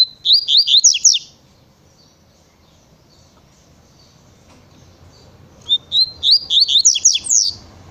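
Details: Double-collared seedeater, Tui Tui style song: a rapid burst of rising whistled notes, a pause with low background noise, then a second, longer burst of quick slurred whistles.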